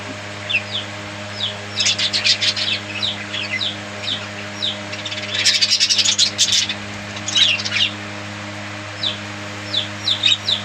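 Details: Budgerigars kept as pets give scattered short chirps and squeaky notes, with a louder burst of harsh, scratchy chatter midway, then more spaced chirps toward the end; a steady low hum runs throughout.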